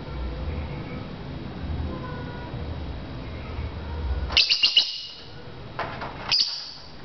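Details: Lovebirds in a bird-to-bird chirping contest: after a quiet low-humming stretch, a quick group of four high chirps, then one more shrill chirp shortly after.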